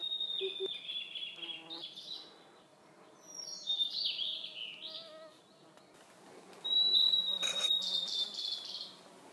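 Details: In the Khingan reserve of Amur region, Russian Far East, a blue-and-white flycatcher sings clear, high whistled phrases. Some slide downward and some hold steady, with short pauses between them and faint forest background.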